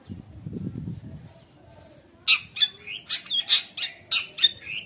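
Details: Long-tailed shrike in full energetic song, used to provoke shrikes and to tutor speckled juveniles. A quiet low rumble fills the first two seconds, then harsh, buzzy high notes with short rising whistles burst out about twice per second.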